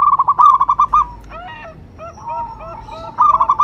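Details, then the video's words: Vocal local zebra dove whose call lures and stimulates other doves. Rapid pulsed cooing opens and closes the passage. Between the bursts come softer drawn-out coos and a brief rough flutter. "Perkutut lokal gacor jawara pikat dan pancingan nada suara panggilan"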